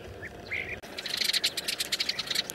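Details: Hole-nesting sparrows frightened by a snake crawling to their colony, flocking to a branch and giving a dense, agitated chatter of sharp high chirps. Several birds overlap, rattling out many times a second after a few opening notes.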